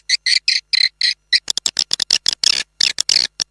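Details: Swiftlet lure call, an external sound used to attract swiftlets. Loud, clipped chirping pulses come first in slow, evenly spaced bursts, then in a faster, denser string of sharp clicks and chirps.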